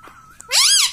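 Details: Pet parrot indoors, taught to say "mummy": a faint thin tone, then one loud, rich, harmonic call that rises and falls in a smooth arch.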